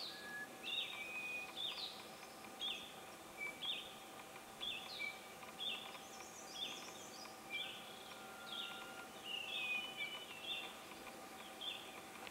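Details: A Hill prinia in Thailand, recorded 12 March 2018, repeats a bright, clipped "pii-yo" phrase about once a second; a steady insect-like drone hums underneath and another bird chirps briefly high above.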